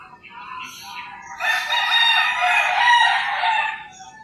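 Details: Early-morning rooster in the rural Philippines gives a long, loud, hoarse crow of nearly three seconds after a short rising lead-in, with faint bird chirps at the start.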